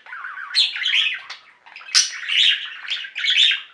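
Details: Budgerigars in a pet singing flock chatter in raspy, squawky phrases, each opening with a sharp high chirp, in three or four bursts.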